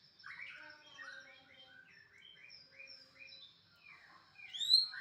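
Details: White-rumped shama delivering a clean, sweet sequence of whistled notes and short warbled phrases at a steady pace, ending in louder rising slurred whistles, against a quiet background.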